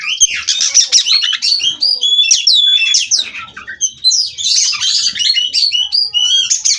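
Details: Breeder-raised Cirebon Oriental magpie-robin (kacer) rolling on in ngerol style: rapid mix of chattery notes, sweet whistles and slurred swoops, delivered in quick irregular bursts.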